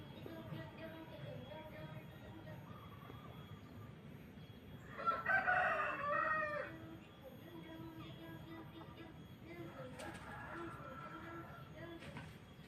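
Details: Morning in a village: a rooster crows once, loud and drawn out, with a second, fainter crow a few seconds later, over a steady low background hum and faint bird chirps.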